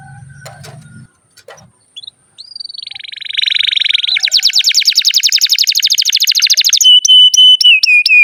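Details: Canary song for training young and silent canaries: after quiet scattered notes, a rapid rattling trill begins and grows louder and buzzier, ending in steady whistled tones with sharp repeated clicks; low hum at the start.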